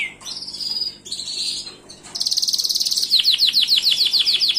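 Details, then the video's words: Gloster canary song mixing sustained high whistled tones with buzzy rolls, ending in a rapid series of repeated downward-sweeping notes. "تغريد كناري جلوستر"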